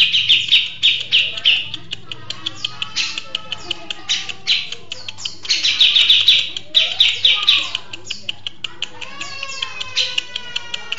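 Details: Grey-cheeked bulbul singing in short, fast bursts of harsh, high chattering notes, separated by gaps filled with sharp ticking clicks and a few softer whistled notes.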